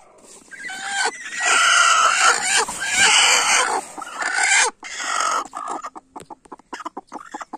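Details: Broody hen fighting for her eggs, loud harsh squawking clucks in a dense burst over the first five seconds, then scattered softer clucks and rustling.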